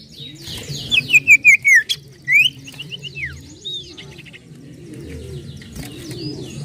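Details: Common iora song called 'nyiull nyiull', used as a lure: a quick string of falling whistled notes, then a single rising note. Busy high twittering from other birds and low murmuring fill the rest.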